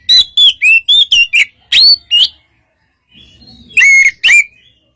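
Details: White-rumped shama song used to provoke a response from another shama: loud whistled phrases of rising and falling notes with buzzy overtones in quick bursts, a short pause, then two more sharp whistled notes.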